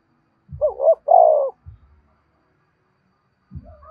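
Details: Spotted dove cooing to lure wild doves: two quick rising notes then a longer, drawn-out coo, with soft low thumps before and after.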